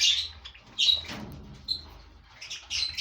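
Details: Lovebirds in a breeding colony of five pairs: harsh high shrill chattering bursts, overlapping squeaky calls in short clusters separated by quieter gaps, with a low background hum.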